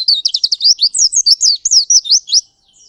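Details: Ngalas-type Oriental white-eye in ngerol song: a fast, unbroken string of high, sharply rising and falling chirps, about fifteen notes in two and a half seconds.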